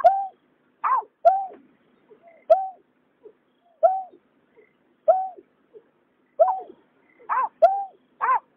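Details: Male and female water rail calling, recorded in 2021: clear, harmonic, arched notes repeated in an irregular series, with a few fainter, shorter notes between them. No other sounds are heard.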